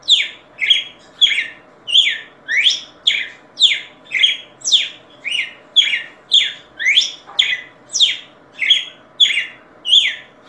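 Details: Singing red-cowled cardinal producing a steady, rapid series of about eighteen loud downslurred notes, nearly two per second, each a sharp high-to-lower sweep, evenly paced and sustained throughout over a quiet background.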